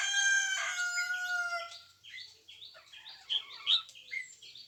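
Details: Red junglefowl crowing, recorded 3 March 2020: a long harmonic crow held about one and a half seconds and falling in pitch, followed by a run of short chirping and clucking notes from other fowl.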